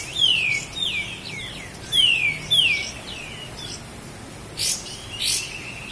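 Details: Lahat Sooty-headed bulbul, master recording for cage-bird training: clear high whistles sweeping steeply downward, given in pairs about a second apart, then two sharp crackling bursts.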